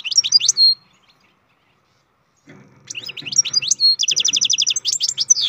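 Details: European goldfinch, captive-bred, in song: a short twittering phrase ending in a whistle, a silence, then a longer run of rapid tinkling notes and a fast even trill of repeated high chips.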